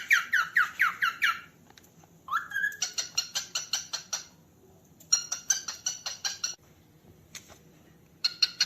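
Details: Cockatiel calling with runs of fast, dry, evenly spaced pulsed notes, a short rising whistle, and a sequence of descending chirps at the start; quiet gaps separate the bursts.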